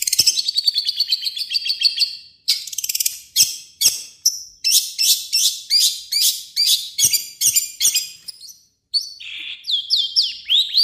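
A long-tailed shrike pours out a fast, varied medley of high chattering trills, harsh notes and sweet whistles, with mimicked phrases, in bursts with brief pauses.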